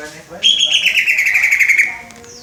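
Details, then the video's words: Young greater green leafbird (cucak ijo) learning to sing by copying the 'Om Telolet Om' bus horn: a single loud, harmonic, horn-like note lasting about one and a half seconds, gently falling in pitch, with a fast, pulsing warble. "Cucak ijo belajar berkicau "Om Telolet Om""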